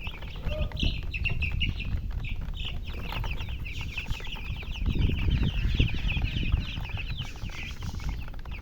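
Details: Chicks of the domestic chicken calling in a crowd, rapid high cheeps tumbling over one another without pause, over heavy low-pitched rumbling and handling noise.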